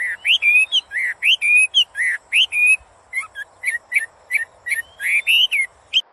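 A hill myna runs through loud, varied whistles, rising slurs and sharp chirps in quick bursts, several notes each second.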